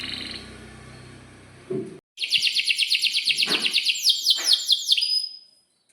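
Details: Vigorously singing canary, breeding-mood long rolls played to teach young canaries. After low background noise and a brief gap comes a fast, shrill, rolling trill of rapidly repeated notes lasting about three seconds.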